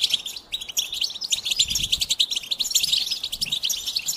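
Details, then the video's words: A goldfinch pours out a continuous, fast twitter of high chirps and buzzy warbled notes, tumbling and varied, with faint low rumble underneath. "Experience the Goldfinch Singing"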